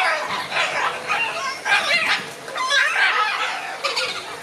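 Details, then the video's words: Scarlet macaws in a noisy exchange of views, giving loud grating screeches in back-to-back bursts of roughly half a second, rough and raspy throughout with short gaps. "Ara arakanga - výměna názorů"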